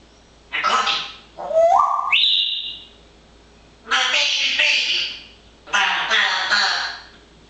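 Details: A parrot chattering busily in the nice weather produces a harsh babbling burst and an upward-stepping whistle, then two longer rasping speech-like phrases.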